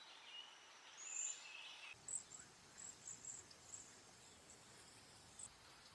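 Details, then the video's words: Cedar waxwing calls as a string of faint, very high, thin lisping notes, short and spaced unevenly, after a longer thin whistle, over steady background noise. "Cedar waxwing bird call / sound / whistle"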